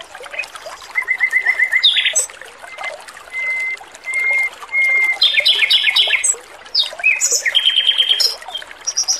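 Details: Male Oriental magpie-robin, singing loudly and melodiously on a training recording with water sounds: a string of rapid even notes, several level pure whistles spaced about a second apart, then dense rattling trills and chirps.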